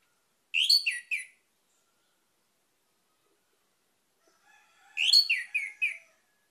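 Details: Orange-headed thrush lure song meant to stimulate other birds into singing: two short bursts of three to four quick, slurred whistled notes, bright and descending, separated by about four seconds of silence.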